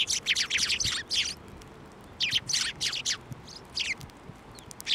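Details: Sparrows flying onto a hand to take food at a Tenmangu shrine in January: bursts of short, bright, overlapping chirps from several birds, coming in rapid clusters with brief pauses, plus a few soft low thumps.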